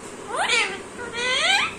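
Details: A 2-year-old female Alexandrine parakeet talking in Bengali speaks two short, word-like phrases in a clear, harmonic voice, each gliding up then down in pitch.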